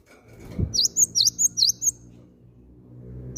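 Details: Calls of a cinereous tit as a lure for other birds to sing: six high, flicking chirps at a brisk pace over a low rumbling background, with a soft knock at the start.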